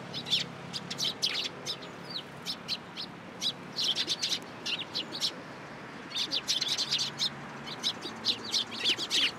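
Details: A flock of sparrows taking food from a hand at a Tenmangu shrine in mid-April 2023, chirping in repeated clusters of bright, clipped high notes with brief pauses between bursts.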